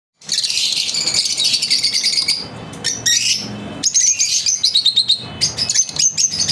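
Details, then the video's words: Lovebirds chirp in a dense, shrill chatter of high squeaks and rapid tweets, almost continuous with a few short pauses. "Lovebirds Chirping"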